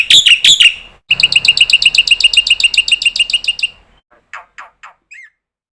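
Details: Black-winged starling calling, said to set other starlings calling too: a few loud harsh notes, then a fast run of about twenty-five sharp, evenly repeated chattering notes, ending with scattered soft notes and a short whistle.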